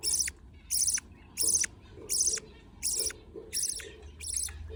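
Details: Budgerigar chicks begging while a parent feeds them: harsh, raspy high bursts of about a third of a second, repeated steadily, roughly one every 0.7 seconds, with quiet gaps between.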